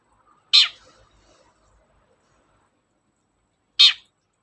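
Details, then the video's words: Long-tailed shrike used as a lure to coax silent shrikes into singing: two scratchy, buzzy squawks roughly three seconds apart, the first trailing into faint softer notes. "BURUNG CENDET GACOR, PANCINGAN KHUSUS CENDET MALES BUNYI"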